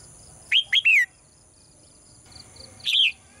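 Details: A female bird in a cage sings a quick run of three chirps ending in a falling slide, then after a pause a single bright chirp, with a faint steady hum.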